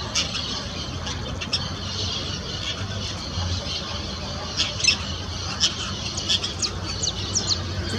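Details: Noisy Yellow-chevroned Parakeets feeding on Cecropia fruit before sunrise in Parque do Sabiá, an urban park in Uberlândia, Brazil, give a steady stream of shrill, scratchy overlapping chatter and squawks over distant traffic rumble.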